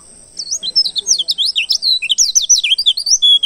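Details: Oriental white-eye from the wild in a lure recording for attracting the species: a short pause, then rapid high warbled twittering with rising and falling sweeps, ending on a drawn-out whistle.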